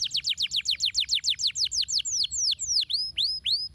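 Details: Canary song for prompting others to sing: a quick series of sharp descending notes about five per second, easing into slower, longer whistled slurs that curve down and then up, clear and high-pitched.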